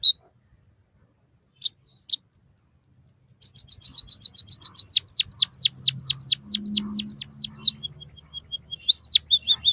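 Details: White-headed munia singing, recorded for training caged birds: a few isolated high chips, then a long run of quick chirps that become sweeping downward-slurred whistles, trailing into thin, level high notes, with faint low hum beneath.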